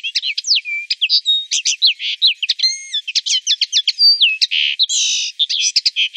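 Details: A common linnet in Wittlich, Germany, recorded in 2017, sings a rapid, varied jumble of twittering notes, buzzy trills and short whistled slurs, high-pitched and almost unbroken.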